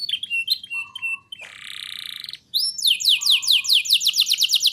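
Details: Persistent canary song used as a lure and tutor for young canaries: short chirps, a harsh buzzy stretch of about a second, then a fast rolling trill of rapid, evenly spaced downslurred notes.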